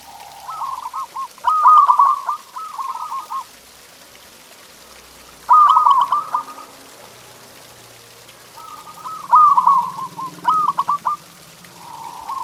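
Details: Zebra dove song played to get pet doves singing: three bursts of rapid rolling, stuttering coos, each a trilled run of soft notes, separated by pauses of about two seconds.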